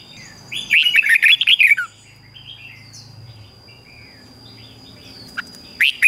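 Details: Red-whiskered bulbul morning song, played to train bulbuls and stir weak-spirited birds into singing: one loud burst of quick, warbling, wavering notes lasting about a second, then softer distant chirps over a steady high electronic whine.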